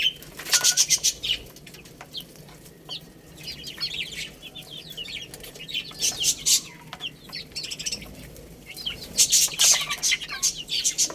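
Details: Baby chickens playing and eating, giving high, thin peeps that slide downward in quick bursts, mixed with sharp taps and scratchy clicks between quieter gaps.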